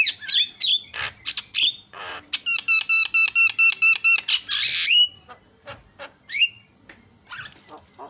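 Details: Singing Asian pied starling used to provoke rival starlings: harsh buzzy bursts, then a rapid series of about a dozen metallic ringing notes, followed by scattered whistles and clicks.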